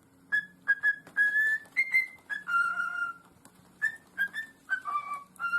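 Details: Pet parrot whistling indoors: a run of clear, tonal whistled notes, some held and some short, stepping between mid and slightly higher pitches with small pauses, a faint low hum underneath.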